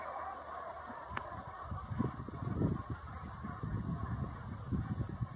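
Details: Brent geese giving low, guttural, overlapping murmuring calls, a continuous gabble from a group, with one sharp click early on and soft background noise.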